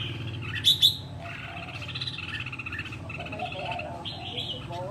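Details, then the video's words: Red-whiskered bulbul, a wild-caught bird kept for one year and said to be ready for singing contests; two loud sharp chirps early, then a run of short bright warbled phrases over a steady low hum. "chào mào bổi sau một năm có thể thi đấu được"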